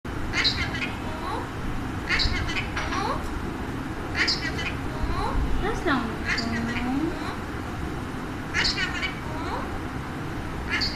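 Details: Pet Alexandrine parakeet talking, producing repeated bursts of speech-like syllables with bending, wavering tones over steady background hiss.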